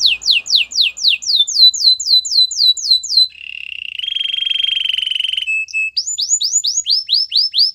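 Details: Canary training song: crisp downward-slurred whistles repeated about four per second for three seconds, a soft low roll turning into a loud buzzy roll, then quick rising chips.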